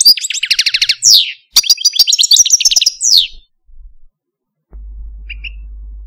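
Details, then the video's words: Song of a caged pet male Algerian Parva goldfinch: rapid twittering runs of sharp high chirps and buzzy trills, a pause, then more fast tinkling phrases ending in a downslurred note, followed by a low steady hum. "Algerian Parva goldfinch, Chardonneret, Cardelino, Jilguero Stieglitz, Stillits"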